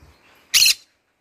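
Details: Green-cheeked conure, a pet bird in the morning, giving one short, loud, grating squawk spread across a wide range of pitch, then quiet.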